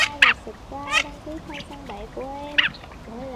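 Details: Male and female mandarin ducks calling to the flock give short, nasal, slightly rising and falling calls in quick succession, broken by sharper high-pitched squeaky notes about every second or so.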